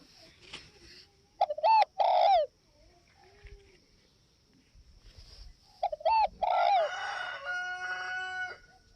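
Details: Spotted dove from Vietnam's northwest region: two phrases of short clipped notes ending in a longer, falling coo, separated by a quiet gap, followed by a series of steady harmonic tones late on.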